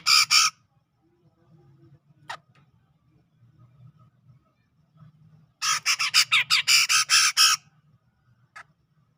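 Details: Grey-cheeked bulbul, wild-sourced from Sumatra's tropical forest near Medan, ngepik style: a short harsh note, a lone sharp click, then a two-second rattling run of raspy notes and one final soft note over quiet low hum.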